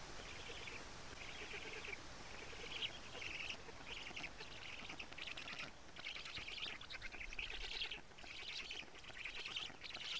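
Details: Karula, Estonia, black stork nest under a live camera on the evening of 14 June 2017, an adult delivering big fish; grating pulsed calls come in short bursts about every half second to second.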